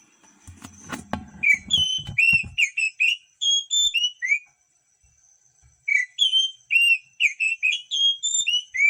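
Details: Oriental magpie-robin song used to stimulate lazy birds to sing: bright, clear whistled notes in quick varied phrases, some rising and some falling, in two bursts separated by a short pause, with a few low thumps at the start.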